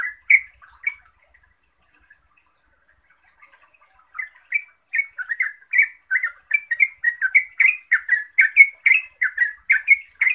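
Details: Yellow-vented bulbul song used to get other bulbuls to answer: a few scattered notes, a quiet stretch of several seconds, then an accelerating, loud run of bubbling warbled chirps to the end.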